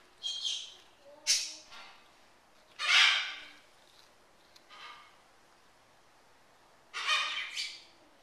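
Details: Military macaw kept as a pet, snacking on a cracker with peanut butter; several short, grating squawks and scratchy calls come in irregular bursts, with quieter rasping notes between them.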